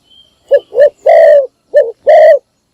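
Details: Decoy spotted dove, morning call to attract other doves: a brief sequence of two short coos, a long sustained coo, then another short coo and long coo.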